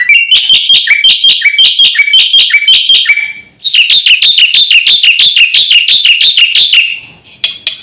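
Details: Javan white starling master song for provoking other birds, two long runs of loud, ringing, metallic chirps delivered about three per second with buzzy overtones, separated by a short gap.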